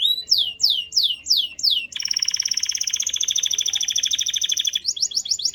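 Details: Canary song opening with a run of loud downward-sweeping whistles, then a long even buzzy trill, ending with a higher rapid rattle.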